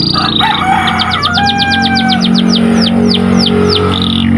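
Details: White canary training song, partly masked by loud steady background hum: a run of descending slurred whistles that starts fast and slows toward the end, with a short buzzy note after it.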